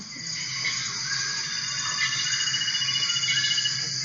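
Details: Glossy-mantled manucode (Manucodia ater) in the Arfak Mountains or Waigeo, New Guinea, sings a sustained, high, feedback-like whine held steady, mistaken by one listener for a truck's squeaky brakes, over faint buzzy hiss.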